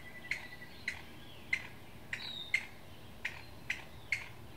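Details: Single Chinese bamboo partridge giving alarm calls at Qingjing, Nantou, Taiwan, on 6 July 2017: sharp, clipped bright notes at uneven intervals of roughly half a second to a second, about eight in all, over a quiet background.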